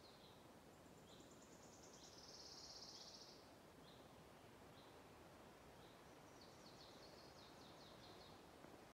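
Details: Greenish Warbler joining a singing Wood Warbler at Fummelråberget, Edsgården, Timrå, Sweden, on 31 May 2021: brief, high, hurried twittering phrases between the Wood Warbler's accelerating shivering trills, over steady rustling background noise.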